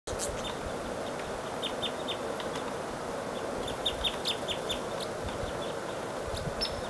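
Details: Red crossbills in Bayfield County, Wisconsin, on 15 March 2018, with call types 2 and 4 present, give short, sharp, high 'kip' notes in scattered bursts, several birds calling together, over a steady low rushing background.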